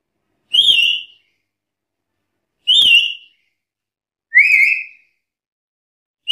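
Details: Calling black-capped lory challenging rivals, sending out four sharp, shrill whistles about two seconds apart, the first two higher-pitched, the third lower and rising.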